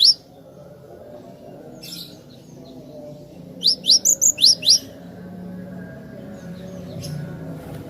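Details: Cinereous tit singing for a training recording: a tight series of five or six sharp rising high notes in about one second, following a faint earlier chirp, with a low steady hum beneath.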